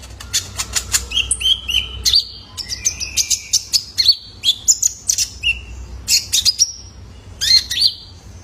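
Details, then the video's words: Young male ruby-cheeked sunbird, kept in a cage, used to train other birds: sharp, high tweets and short flat whistles, some rising at the end, coming in steady bursts about twice a second. "PANCINGAN KONIN BAHAN IKUT GACOR !! COCOK BUAT TERAPI KOLIBRI NINJA - SUARA ANAKAN JANTAN!!"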